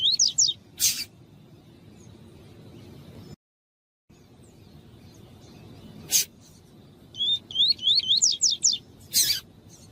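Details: A double-collared seedeater (coleiro/papa-capim) tui-tui song used for training captive birds: quick, high, zigzagging whistled phrases in two short bursts, with a few sharp clicks or taps between them and a brief dead gap.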